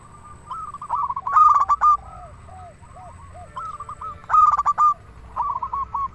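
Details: Singing local zebra dove, meant to arouse and lure other zebra doves; a series of soft lower coos leads into loud stuttering rolled phrases, with bubbly trilled notes between them, over a quiet rumbling background.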